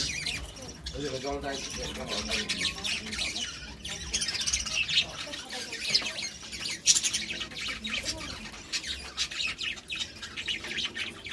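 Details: Two budgerigars, a couple, keep up a dense, continuous chatter of thin squeaks, chirps and rapid warbled notes, rising and falling without pause for over ten seconds.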